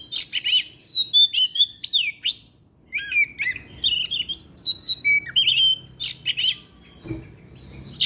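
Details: Kacer (Oriental magpie-robin) in evening song used as a lure: bursts of fast chattering notes and clear whistled slurs, a brief pause near three seconds, then more varied rolling phrases and chips.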